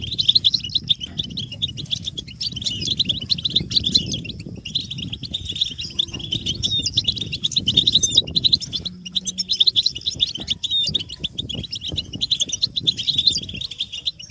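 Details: Mass twittering of European goldfinches, intended to excite captive males into nonstop song; long run of high, jangling chirps with brief gaps, accompanied by steady low rumbling noise.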